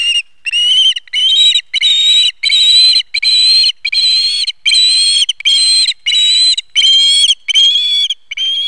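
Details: Osprey calling at the nest as the male brings a fish, 4 September 2019: a steady series of loud, clear whistled notes with short gaps, about one and a half per second, each slightly wavering in pitch.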